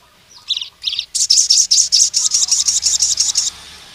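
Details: Sunbird in energetic wild-type song, calling a rival male: two short buzzy notes, then a loud run of harsh high rasping pulses repeated about five per second, followed by a faint steady hiss.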